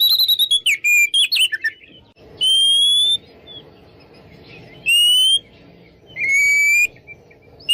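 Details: Oriental magpie-robin in open, full song, used to provoke rival birds to fight; a quick run of chirps, then three long clear whistles, each slightly rising, separated by pauses of about two seconds.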